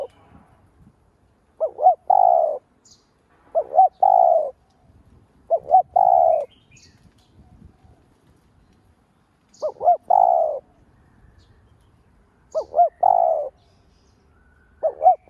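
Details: Spotted dove used as a lure, calling to stir rival doves: five cooing phrases roughly every three to four seconds, each two quick wavering notes followed by a drawn-out mellow coo, in a quiet setting.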